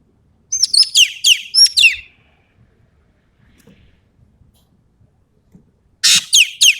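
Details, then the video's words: Ekek keling of Sumatra in full tembakan song: a phrase of rapid, sharp descending whistles topped by short high flat notes, followed by near silence, then a harsh broadband rasp with more falling whistles starting. "BURUNG EKEK KELING SUMATERA GACOR FULL MATERI TEMBAKAN"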